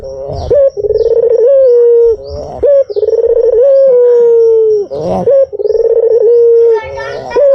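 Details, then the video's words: Repeated low cooing of a white dove, played as a lure: each phrase starts with a short upward note, vibrates briefly, then holds a long soft tone. Four phrases, roughly two seconds apart. "SUARA BURUNG PUTER PUTIH || PANCINGAN PALING AMPUH"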